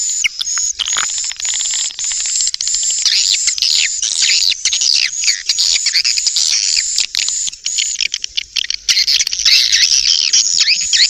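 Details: Swiftlet calling sound as a lure: an unbroken stream of high, fast twittering chirps, layered and dense, over a constant shrill tone throughout.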